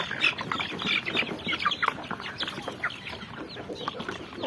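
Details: Chicks peeping: a dense, overlapping stream of short, high, thin chirps, many birds calling at once and rising and falling in loudness throughout, with no other clear sounds.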